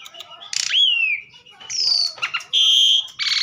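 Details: Asian pied starling song fragment: a strong whistle sliding downward, a high sustained whistled tone, a level piping note, then a harsh buzzy burst.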